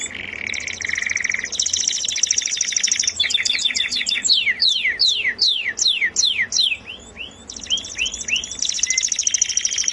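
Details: Canary singing melodiously: low trilled tones, a high buzzy trill, a run of steep descending whistles, upslurred notes and a closing fast trill.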